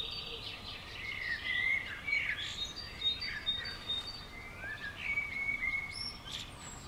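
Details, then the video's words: Common swifts, described as 'bangers', calling at and around a house on June 5th 2011: a series of shrill, buzzy scream-like notes, some sliding downward, repeated in quick succession over steady background noise. "Common Swift Bangers"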